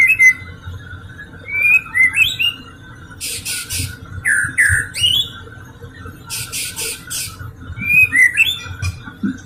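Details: White-rumped shama lure song meant to prompt other shamas to sing: clear whistled phrases and swooping notes broken by harsh buzzy rasps, repeated in bursts, over a low steady hum.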